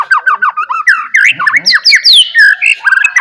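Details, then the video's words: White-rumped shama in full song, used as a lure to prompt other shamas to answer; a rapid stream of varied whistled notes, many sharply down-slurred, delivered about three or four per second with rising, buzzy flourishes. "DENGAR KICAUAN MURAI GACOR INI"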